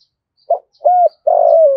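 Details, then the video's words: Spotted dove acting as a decoy to lure wild doves, uttering a brief note, an arched coo and the start of a long, slowly falling coo, with faint high ticks. "Chim Cu Mồi Gáy Giọng Rất Chuẩn Để Kích Bổi"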